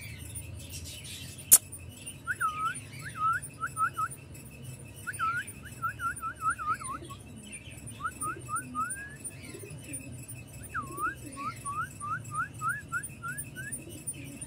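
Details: Parblue opaline male lovebirds, with a young one, kept in an aviary; runs of short, quick chirped notes, each sharply bent up or down, come in bursts of four to six, over a steady low hum and a single loud click.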